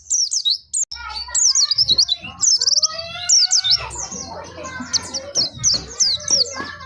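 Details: White-eye of the Dakun type, Pacitan, in nembak song with mantenan and zipper witwit: high looping chirps in short runs over busy background of other softer calls and low rumbling noise.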